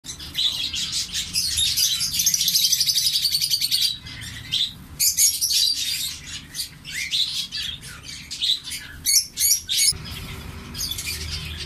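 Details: Captive zebra finch chicks growing in a breeding colony; dense, rapid, high buzzy chirps and squeaky notes in fast irregular bursts, pausing briefly near four and ten seconds, with faint rustling.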